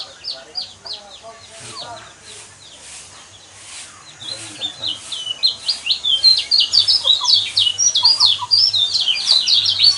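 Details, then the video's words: Yellow white-eye song played to provoke caged birds into singing: scattered high twitters build into a sustained fast chatter of sharp chirps, steadily louder over the last half. "burung pleci kecial kuning mana yang nggak kepancing emosinya dengan suara seperti ini"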